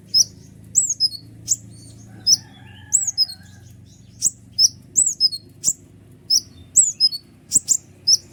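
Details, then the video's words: Energetic kolibri ninja sunbird song used as a lure for other birds: a steady stream of high, sharp slurred chirps, some falling in pitch, repeated every half second or so. "Jangankan konin burung ciblek pun emosi mendengar suara ribut kolibri ninja gacor nembak full durasi"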